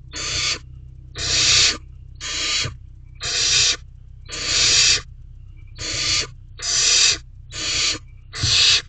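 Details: Barn owls in a nest box with a female, a male and owlets, recorded at 9:18 pm on 5/7/23 while a mouse is swallowed whole: harsh broadband hissing screeches about every second, over a steady low hum.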